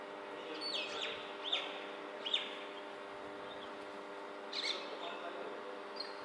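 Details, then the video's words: Common Mynas in Bangalore, fighting, perhaps over territory or a partner, give harsh, scratchy calls in irregular bursts, with sharp chattering notes and squawks, over a steady low background hum. "Common Mynas fighting"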